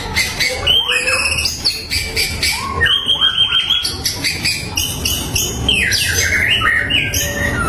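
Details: Bait song of a white-rumped shama, meant to make rival birds answer and grow agitated: rich, fast-changing whistles and chattering notes, with sweeping slurs and trills packed into an unbroken stream.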